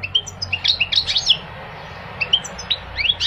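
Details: Scattered high chirps and sliding tweets from a goldfinch, loose twittering bursts over a steady hiss-like background noise.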